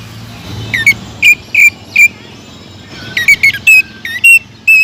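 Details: Singing greater green leafbird, sung to provoke rival leafbirds into song: bright, clipped whistles fired in quick irregular runs with short pauses, over faint low background rumble.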